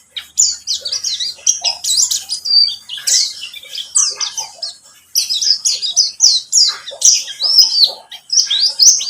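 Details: White-eye song, pleci buxtomi, played as a lure so birds start singing: energetic bursts of shrill, rapid chirps and twittering slurs at high pitch, separated by a brief break midway.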